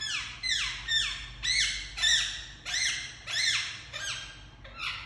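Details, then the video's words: Pet Indian ringneck parakeet indoors giving a run of about eight harsh, descending squawks, roughly one every half second, each sliding downward in pitch, with a faint steady hum behind. "Super Cute Ringneck Parrot Making Sounds"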